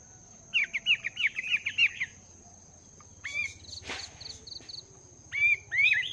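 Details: Caged Chinese hwamei, two months in the cage, morning song practice: a fast series of repeated rising whistled notes, a pause, a burst of noise, then more loud slurred whistles, with a steady high whine throughout.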